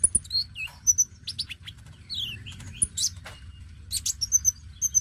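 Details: Oriental magpie-robin of the dacok type in full, lively song, used to coax newly caught young magpie-robins into singing. Varied high whistles: downslurred notes, short rising slides and sharp chirps in quick bursts, with a steady low hum underneath.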